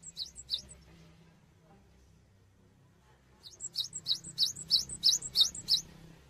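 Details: Gelatik batu, the cinereous tit, recorded for songbird training: two high chirps, a quiet pause with soft background hiss, then a rapid, regular series of piercing twittering notes for over two seconds.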